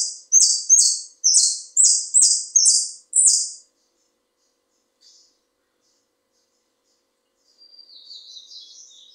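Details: Saffron finch, with nestlings in a cage, sings a bonaerense phrase of seven loud, high, evenly spaced notes, each falling slightly; faint soft twittering follows near the end.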